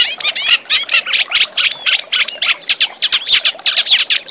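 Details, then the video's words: Reed warbler song used as master song for training magpie-robins: rapid stream of sharp, high chirps and downslurred whistled notes, fast and continuous with little pause. "Suara Kerak Basi Untuk Masteran Murai Bahan"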